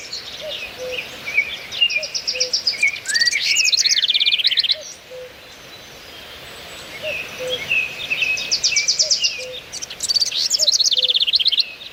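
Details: Birds singing in a leafy setting: bursts of fast, high twittering trills and rolling phrases in two loud bouts separated by a quieter pause, with soft low notes repeating underneath.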